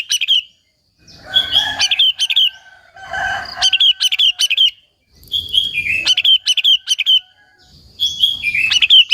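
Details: Sooty-headed bulbul (kutilang) singing to provoke other bulbuls into calling: four bursts of bright, tumbling whistled notes with some slurred downward phrases, separated by short quiet gaps and soft low thumps.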